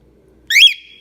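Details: A grouchy pet female cockatiel yelling indoors, in a mood from hormones or wanting something; one loud, shrill, rising screech that levels into a sustained high whistle-like tail.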